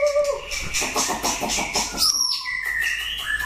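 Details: White-rumped shama, an old wild-caught bird trained for contest singing, giving a low pure whistle, a buzzy rattling passage, then sliding high whistles and a rising whistled note.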